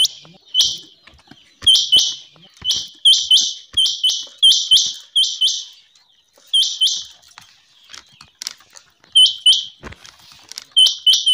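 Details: Rain quail calling in loud, sharp, high doubled notes, delivered in bursts of two or three with short silent gaps, the pattern recurring steadily across the recording.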